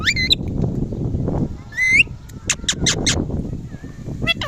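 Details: Loud Indian ringneck parrot chirping: wavering harmonic squawks open the sequence, then a rising screech and a quick run of four sharp shrieks, with steady low background noise.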